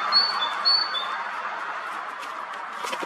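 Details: Tit in spring song on a forest branch near Akhunskaya Street in Zarechny, 12 April 2021: two bright high-low whistled phrases at the start, then quieter rustling and faint chirps against steady background noise.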